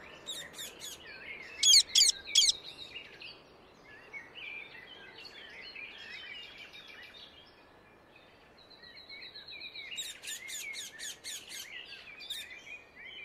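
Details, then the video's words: Indian ringneck parakeet in the wild: two bursts of four rapid, harsh screeches, early and again near the end, with a faint chorus of distant chirping birds and soft background noise between. "Indian ringneck parakeet sound in nature"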